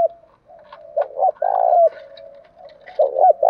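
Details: Spotted dove cooing used as a lure to draw and provoke rival doves, the "gáy gọi" calling style with "thúc đấu" fighting coos; low hollow coos in paired loud bursts, softer murmuring coos between.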